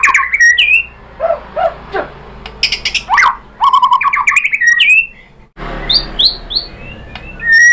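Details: White-rumped shama singing varied whistles, low soft notes, a burst of rapid chattering and spaced rising whistled calls, with faint noise between phrases; played to prompt other shamas to answer.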